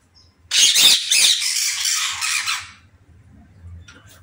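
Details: Indian ringneck parrot in an aviary letting out one long, loud, harsh screeching squawk lasting about two seconds, then quiet with faint low background noise.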